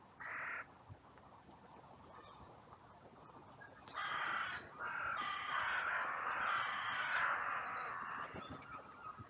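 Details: Crows gathering in a cemetery after a brief fight between two crows: one short caw, a pause, then a long run of harsh overlapping caws from several birds, steady and loud.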